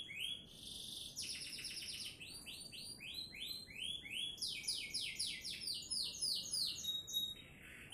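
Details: Canary singing in Sidoarjo, Indonesia; rapid trills of repeated rising and falling high notes, shifting through several pitch levels with brief whistled tones between phrases.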